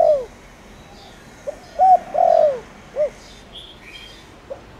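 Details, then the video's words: Spotted dove with a 'tho dong' voice, used as a lure to make wild doves call. A falling coo opens the passage, then a flat coo, a long dropping coo and a short arched note. Light chirping from other birds is audible. "Cu gáy gáy gọi kích bổi nhanh nổi/Tiếng cu gáy Thổ Đồng"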